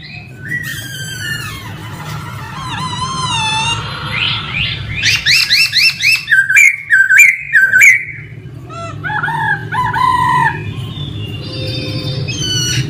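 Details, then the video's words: Male laughingthrush in full song, mixing rapid trills, warbled runs and sharp repeated whistled notes, varied and rich, with a low background hum throughout. "Khướu trống hót hay nhất"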